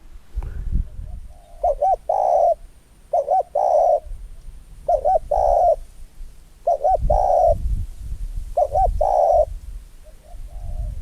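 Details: A Spotted Dove, a trained decoy bird set 3–4 m up a neem tree in hot early-afternoon sun, finally calls after nearly 30 minutes: five soft coos, each a quick double note then a longer mellow coo, every two seconds.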